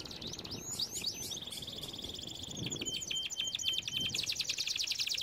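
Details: Canary song for training: quick warbled notes, a sustained thin whistle, then accelerating descending sweeps and a rapid buzzy trill, with low background noise.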